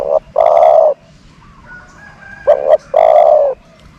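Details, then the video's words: A lure dove coos in a steady cycle, each phrase a short note and then a prolonged flat coo, heard twice in about four seconds over light background noise. "นกต่อ เสียงนกต่อ"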